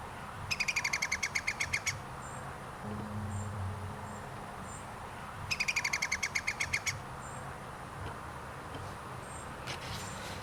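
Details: An Iberian green woodpecker (Picus sharpei), recorded 2 July 2022 at Zamudio, Txorierri, gives two loud laughing series of about fifteen ringing notes, each lasting roughly a second and a half, with faint background birds and low rumble.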